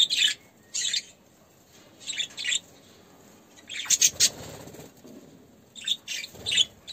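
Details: Caged budgerigars in an aviary during courtship, the male feeding the female: short bursts of high, scratchy chattering warbles separated by quiet gaps, with some soft rustling.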